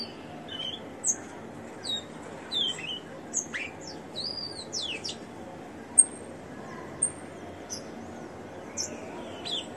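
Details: Rufous-collared sparrow kept in captivity with a ring, singing briefly: a busy run of high slurred whistles, some sweeping down steeply, others rising, mixed with sharp chips over a soft hiss.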